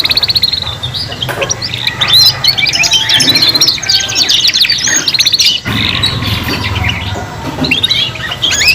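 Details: Three young learner canaries singing in chorus: rapid rattling trills mixed with clear whistles and chattering notes, loud and continuous, a short break near six seconds, over a low background hum.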